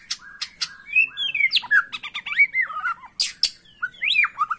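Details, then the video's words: White-rumped shama song, used as a lure to make caged shamas sing hard and show their full repertoire: loud varied whistles, rising and falling slurred phrases and sharp clicking notes in quick succession. "PANCINGAN MURAI BATU AGAR BUNYI NGOTOT DAN BONGKAR ISIAN"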